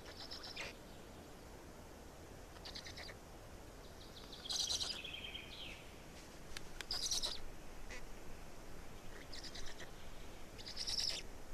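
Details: Black stork chicks in Estonia, 18 May 2019, fourth chick: sparse wheezy bursts every few seconds, one sweeping downward whistle near the middle, and quiet low noise between.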